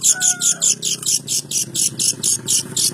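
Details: Long-tailed shrike singing a fast series of harsh, scratchy high notes, about two per second and fairly even, with a faint low hum beneath and a brief whistled tone near the start.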